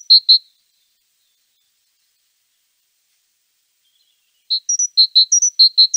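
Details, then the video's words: Great tit with a brief pair of bright, high notes, a long silence, then a short mixed string of clipped pinging notes and slightly higher whistled notes. "Różne odgłosy sikorki bogatki."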